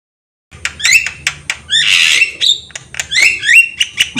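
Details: Javan myna singing energetically while nodding its head, recorded as a tutor track for training untrained young mynas: harsh rasping bursts mixed with rising whistled notes, some doubled, in quick irregular phrases.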